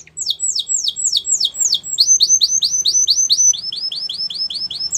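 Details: Singing canary delivering long series of rapid, high downslurred notes that quicken in the second half into a steady rolling tour, with a faint low hum underneath.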